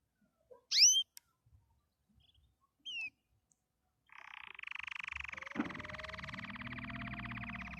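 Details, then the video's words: Canary singing happily: after a short high chirp and a brief whistle, a sustained fast rolling trill of rapid even pulses fills the last few seconds, over a faint low hum. "Watch the canary sing happily"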